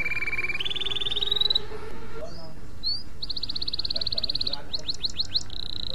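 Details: Canary master song meant for teaching other canaries: held whistled tones stepping upward, scattered chirps, a rapid even buzzing trill, a few sharp slurs and a final steady note, over a constant low hum.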